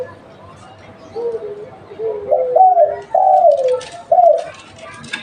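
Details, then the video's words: Local spotted dove used to lure others, giving soft low introductory notes that build into louder hoarse coos sliding downward. Rustling and clicking noises sound near the end. "Tekukur lokal buat pancingan"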